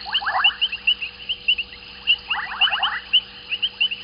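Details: At Gowrie dam waterhole, Djuma Game Reserve, Sabi Sand, South Africa, at 19:35 on 14 January 2021, White-faced whistling ducks give clear, high, overlapping whistles several times a second, with lower rasping sweeps mixed in over a faint hum.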